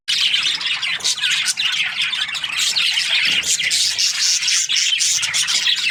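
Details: Numerous budgerigars from breeding pairs chirp at once, a steady, bright, buzzy twittering with quick squeaky notes layered throughout, no quiet gaps.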